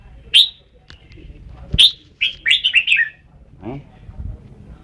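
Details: Red-whiskered bulbul from Ban Song: two sharp chirps, then a rapid warbled phrase of several joined notes, followed by a faint low sound.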